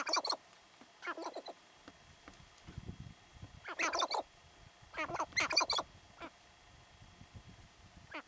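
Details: Sharp-tailed grouse displaying territorially, Theodore Roosevelt National Park North Unit, 2017; scattered bursts of harsh, rattling cackles separated by quieter spells of soft ground noise.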